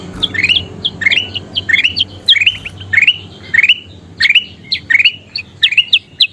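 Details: Kutilang emas bulbul song meant for training birds to sing: paired bright whistles sliding upward, grouped in phrases about every half second, with a low steady hum behind.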